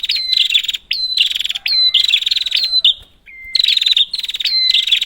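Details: Prinia sound used as a lure for a prinia that has stopped calling: loud, buzzy, rapid chattering bursts with sharp high notes, repeated in quick phrases separated by brief pauses, and one clear flat whistle in between.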